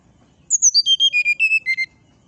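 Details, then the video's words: Brown-chested Jungle Flycatcher singing in the morning: ten evenly spaced, clear whistled notes that descend like a staircase, each slightly lower than the last. "suara srdc di pagi hari"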